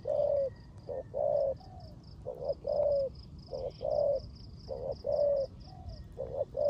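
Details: Spotted dove decoy bird giving 'rước gù' style cooing in the rain: low paired coos, a short note followed by a longer drawn-out one, repeated roughly every second, over a steady high-pitched ticking background.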